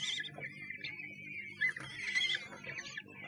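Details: Nest box kestrel, Sussex, 1 June 2011: a wavering high whine runs through, broken by a couple of short louder squeals and scratchy knocks, against a faint steady hum.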